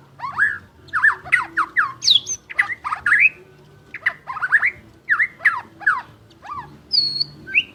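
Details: Lively song from a champion murai batu, the white-rumped shama: a rapid series of short swooping notes in two bursts, with a few harsh high squeaks and a high whistle at the end.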